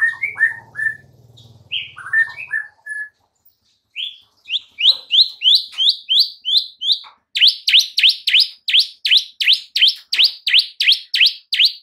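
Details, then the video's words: White-rumped shama training song for caged birds: mixed whistled phrases with a low hum at first, then a long series of sharp, rising-falling notes repeated about twice a second. "MASTERAN Murai Batu MANDEK & BISU seketika jadi NARUNG plus NGAMUK mendengarnya"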